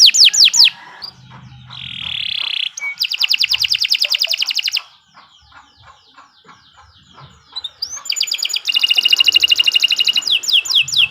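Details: Canary song for bird training: bursts of fast trills and buzzy rattles separated by a quieter gap with faint low background sounds.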